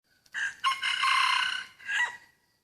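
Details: Crow from a rubber plantation where a decoy rooster's crowing lures in a high-blood hybrid wild junglefowl: a short opening note, a stuttered rise, then a long, steady, harmonic-rich middle lasting about a second, ending in a separate falling final note.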